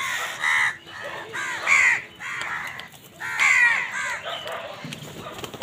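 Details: Numerous crows noisily fighting with wild birds for food in the morning, producing near-continuous overlapping harsh caws, several birds calling at once in an irregular chorus.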